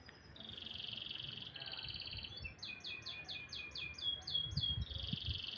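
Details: Canary singing in the morning: bright, high buzzy trills and rapid repeated chirping notes, with a run of fast downward-sweeping notes in the middle and faint low background rumble.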